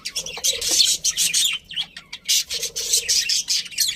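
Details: Budgies of a happy colony chattering in two loud bursts of buzzy, overlapping chirps and warbles, separated by a short lull.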